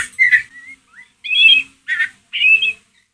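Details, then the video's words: Caged White-rumped shama ngeriwik lure: a short whistled phrase followed by three loud harsh buzzy bursts about half a second apart, each rough and broad. "MURAI BATU PASTOL NGERIWIK COCOK BUAT PANCINGAN EMOSI MURAI ANDA"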